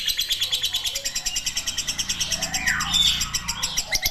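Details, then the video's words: Lovebird in long chatter, rapid piercing chirps pulsing evenly about five per second, with a brief louder swell and a downward-sweeping squeak near the end. "burung Lovebird, ngekek panjang"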